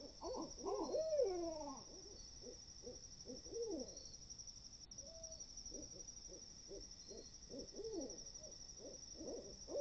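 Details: Several great horned owls in woods at 4 AM, hooting and chattering together: an excited wavering squeal at first, then many short clipped hoots and barks in irregular rapid runs, with a constant high-pitched insect drone behind.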